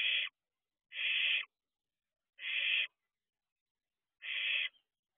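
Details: Owlet barn owl at its nest box at 4:31 am, early June 2023; four broad, screechy hisses, each around half a second, spaced one to one and a half seconds apart in a silent background.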